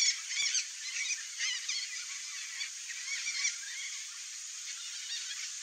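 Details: A nesting pair of red-bellied macaws (Orthopsittaca manilata) in breeding season gives harsh, scratchy squawks in quick bursts over the first few seconds, then softer chatter against a steady background hiss.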